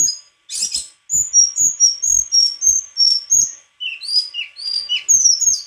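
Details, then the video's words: White-throated flycatcher pouring out a fast run of short, high whistled notes in quick succession, with faint low thumps beneath. "Sikatan krongkongan putih suara gak kalah sama burung kicau lain"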